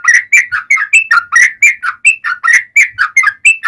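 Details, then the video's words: Yellow-vented bulbul in energetic ropel panjang (long rapid-fire) song, used as a lure to prompt other bulbuls to sing: a dense, unbroken run of bubbly, liquid whistled notes, each dipping and rising, about four per second. "SUARA trucukan gacor ROPEL PANJANG buat Pancingan trucukan agar bunyi"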